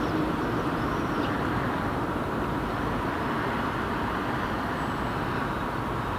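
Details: A constant roar of road traffic and passing vehicles fills the recording, with no clear animal call.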